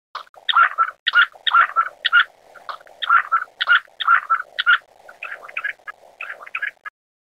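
Black-necked grebe giving a fast run of short, reedy, chattering notes, about two per second, some in quick pairs, over a low murmur.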